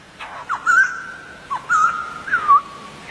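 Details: Short burst from a wild white-crested laughingthrush: a few clear whistled notes, each a quick upward flick followed by a held, slightly wavering tone.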